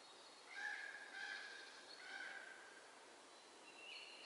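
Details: Four hungry Common Raven nestlings, about three weeks old, calling in the nest in the Göttingen region, Germany, on 24 April 2022; harsh, raspy, harmonic begging cries come in overlapping bursts roughly every half second to second, against faint background hiss.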